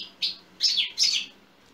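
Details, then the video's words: European goldfinch song from 2020, played to excite other goldfinches into singing: three quick bursts of high, tinkling, slightly buzzy twitter, the last two longer and richer, with a low hum beneath. "Saka sesi-Saka ötüşü-Goldfinch-Carduelis-Златочовка 2020"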